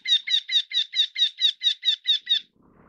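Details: A Eurasian Wryneck (Jynx torquilla), a rare winter visitor in Taiwan, gives a run of about eleven nasal, ringing notes, evenly paced at four or five per second, followed by faint background rustle.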